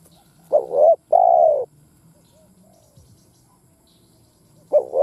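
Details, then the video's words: Spotted dove decoy calling to rouse other doves. A quavering note and a longer falling coo, then a long quiet stretch before the next wavering note begins at the end. "Tiếng Chim Cu Mồi Đất Thúc gù gáy"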